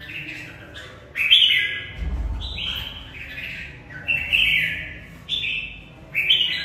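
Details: Fighting song from a caged Mộc bộ red-whiskered bulbul: short rich warbled phrases, each starting with a sharp upward flick, repeated roughly every second, with a faint low thump near the start.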